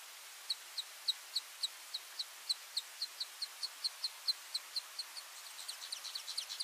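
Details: Male long-tailed widowbird calling while displaying for a group of nearby females: a series of sharp, high ticking notes repeated about four times a second, ending in a faster, buzzier chatter.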